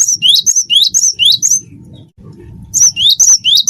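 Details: Gelatik batu wingko, or cinereous tit, a gacor bird meant to trigger song in others: fast repeated paired whistles, high then rising, in two bursts broken by a brief quiet gap with faint low background noise.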